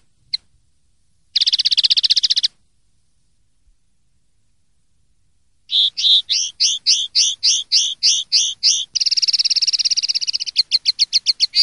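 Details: Clean-style common linnet song ('limpio'), 2023/2024 season: a short isolated chip, a fast buzzy trill lasting about a second, a pause, then a long varied phrase of stuttering twitters, a rapid rattling trill and a final series of crisp repeated notes.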